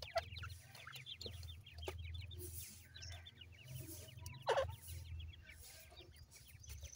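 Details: Grey francolin chicks at food give soft, thin, downward chirps in a continuous patter over a low steady hum, with one loud knock midway.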